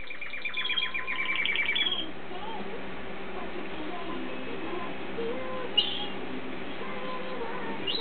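A canary opens with about two seconds of fast, rolling trills and high chirps before dropping away, leaving a low murmur and faint voice-like sounds.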